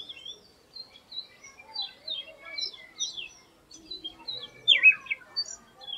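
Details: Oriental magpie-robin singing an unusual song unlike its typical one; a varied, rambling series of short high whistles, slurred notes and chirps, with a louder descending slurred note near the end, in quiet surroundings.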